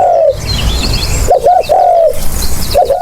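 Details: Short burst of spotted dove calling for luring: the tail of one long falling coo, then a fresh phrase of two clipped coos and a drawn-out mellow note, with faint bird twitters and a low rumble.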